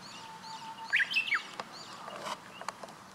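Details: Male green pheasant in wing-drumming display, recorded 20 May 2017 around 07:41: a loud, harsh, broken crow of two or three rasping notes, then sharp percussive bursts, with thin chirps of other small birds and a soft outdoor hiss behind.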